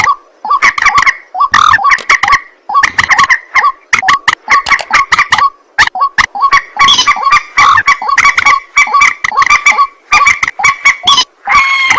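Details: Night-time white-breasted waterhen: continuous harsh 'ruak ruak' croaking, rapid rattling bursts mixed with short grunting notes, growing denser and louder toward the end.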